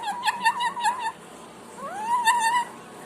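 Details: Pet parrot giving wavering whistled notes: a wobbling tone for about a second, a pause, then a rising slur that levels into a steady whistle, with faint room noise.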